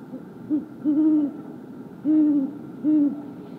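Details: Wild great horned owl perched high in a tree in woods on 28 January 2022, giving a contact call: a short low hoot followed by three longer, deep, slightly warbling hoots with soft chittering overtones, spaced about a second apart, in quiet surroundings.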